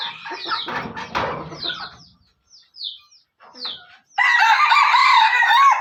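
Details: Junglefowl from Aceh with speckled plumage, crowing strongly at the end: a sustained, harsh, layered call lasting over a second, preceded by a rough clattering burst and thin, falling chirps from other birds.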